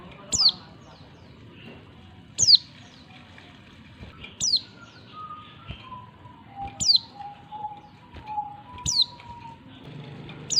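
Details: A female Oriental white-eye calls to draw in a male, giving sharp, high, falling chirps about every two seconds, six in all, with soft low tones and a faint hum behind.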